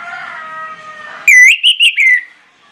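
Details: Orange-headed thrush singing as a lure to set other birds off: after a stretch of low background hum, a loud bright whistled phrase of four linked notes, sliding and warbling, lasting about one second.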